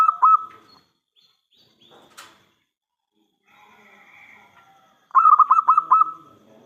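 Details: A local zebra dove sings as a lure for other doves to answer. Short coo notes at the start, then quiet with a sharp knock and a soft rasping sound, then a rapid phrase of five rolling coos.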